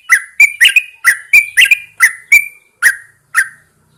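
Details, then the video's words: Morning song of a caged Yellow-vented Bulbul put out in the fresh dawn air: around ten short, rich, slurred whistles in quick succession, each with a brief bubbling note. "Pengembunan Burung Trucukan"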